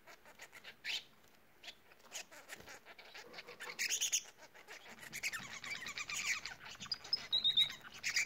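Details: Bengalese finches singing as a group: scattered clicks early, then a denser run of rapid buzzy chatter and high thin whistled notes building toward the end.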